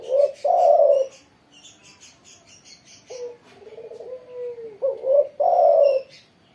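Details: Spotted dove in full song after sunning in the morning, giving loud deep coos at the start and end, with a quieter falling coo phrase between; a series of faint high chirps from another bird runs through the middle.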